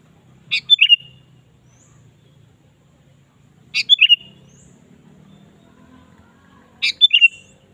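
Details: Lure recording of a sooty-headed bulbul in lively singing form: the same short, bubbly whistled phrase repeats three times about every three seconds, each phrase a sharp high note and a quick run of liquid notes. The background is quiet.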